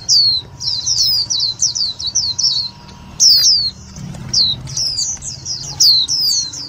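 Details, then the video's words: Indian white-eye lure call for trapping and exciting other white-eyes: a fast chattering run of high, thin, falling chirps, then scattered single notes and more quick bursts, over a faint hum. "Tiếng chim vành khuyên mồi cực nhạy"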